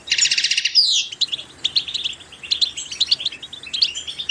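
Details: Goldfinch singing to encourage goldfinches to sing: opens with a buzzy, rapidly pulsed trill, then a downward whistle and a string of quick high twittering chirps.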